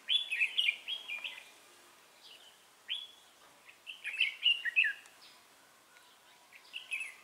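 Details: Red-whiskered bulbul fighting song from a decoy bird used in trapping, 3 November 2018: repeated bursts of cheerful, warbling whistles, roughly one phrase every second or two, with brief gaps in between.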